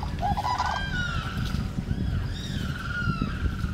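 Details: At Circle B Bar Reserve, a limpkin gives loud, drawn-out wailing cries that slide downward, three in under four seconds, over the heavy low rumble of a passing boat engine.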